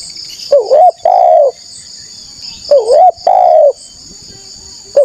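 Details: Used to call out rival wild doves, a spotted dove gives two-part coo phrases, a rising hooked note then a longer smooth coo, repeated roughly every two and a half seconds over a high insect drone.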